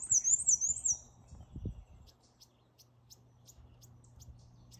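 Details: Black-and-white Warbler, a male singing repeatedly as he flies in close after being called in with app sound playback: a very high, thin, seesawing phrase of about four quick squeaky notes in one second. Soft thumps and faint ticking follow.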